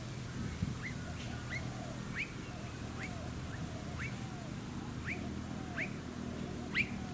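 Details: Blue-faced honeyeater alongside noisy miners, filmed on Queensland's Sunshine Coast in August 2020; brief upward-sweeping whistled notes repeat roughly once a second against a constant low hum.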